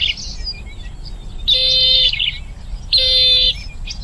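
Bronze-winged jacana giving two harsh, buzzy, high bursts about half a second long, spaced under two seconds apart, over soft chirping of other small birds.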